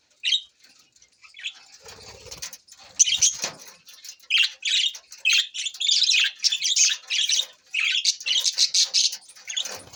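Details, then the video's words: Budgies on June 20, 2024 start with scattered soft chirps and rustling, then build into quick, buzzy chattering bursts that grow steadily busier toward the end. "Budgies Parrot so Bueatiful sounds"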